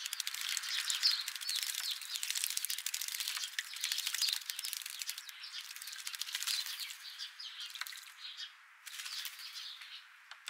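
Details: A group of European starlings stopping for a morning bath gives dense, scratchy chatter with high clicks and wheezy notes, mixed with steady splashing water.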